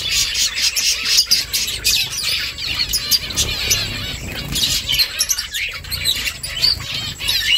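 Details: Several finches making a nest chatter at once, a steady stream of thin, high chirps and short twittering notes overlapping without pause, with faint background rustle.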